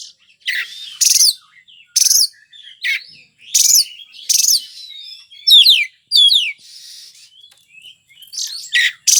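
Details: Kacer (Oriental magpie-robin) with gacor song: a fast stream of harsh grating bursts mixed with clear whistled notes, swooping slides and rapid descending trills, almost unbroken.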